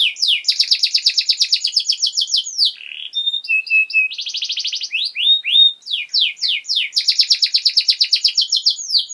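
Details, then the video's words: Long canary master song meant for teaching young birds: loud rapid rattling trills alternate with short whistled notes and quick slurred phrases, the trills pulsing many times per second. "Canary Singing!Masteran Kenari Gacor Durasi Panjang 1 Titik Bagus Untuk PAUD Cantante Canario Actual"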